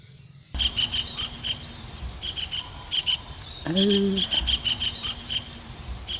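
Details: Javan kingfisher in the middle of a rice field, watching for prey, gives quick bursts of sharp, high chattering notes in clustered runs, with a low droning hum and a brief deeper voice-like sound partway through.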